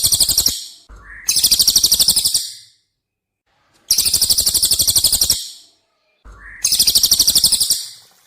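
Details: Cililin song used as masteran training audio for competition birds: long shrill rattling trills of fast, even, very high notes, each preceded by a brief lower rising note, repeating in a regular pattern with short silences.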